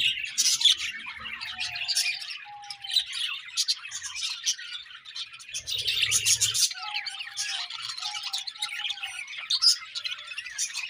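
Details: Several pairs of budgies keep up a constant high twittering chatter, full of quick overlapping chirps, with short flat notes dotted through and a brief low thump midway.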